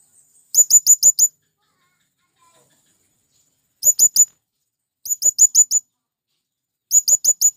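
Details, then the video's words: Calling male blue-crowned hanging parrot, used to lure wild birds of its kind, gives rapid runs of five or six piercing high chips, the runs separated by pauses of one to three seconds. "Burung Serindit Jantan Memanggil Kawan||ampuh memanggil serindit liar"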